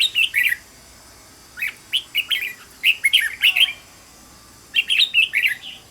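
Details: Red-whiskered bulbul singing, for training another bird to sing: short warbled, bubbly phrases given in three bursts, each a quick run of rising and falling whistled notes, separated by brief pauses.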